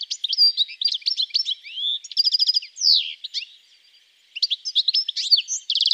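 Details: A European goldfinch (Carduelis carduelis), a Russian forest-edge bird, sings a fast, tinkling jumble of liquid twitters, buzzy trills and bright chips, pausing briefly before resuming.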